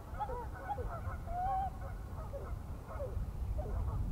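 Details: Swimming pied-billed grebe giving faint, hollow, arched calls, including one longer drawn-out note mid-way, then scattered shorter notes, against a constant low rumble of background noise.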